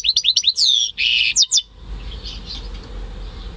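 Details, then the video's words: Goldfinch × canary mule raised by its keeper, May 2015: a quick string of high chirps, a long downward-sweeping whistle, then a harsh buzzy note and more twitters, fading into faint background hiss. "Saka Melezi Ötüşü"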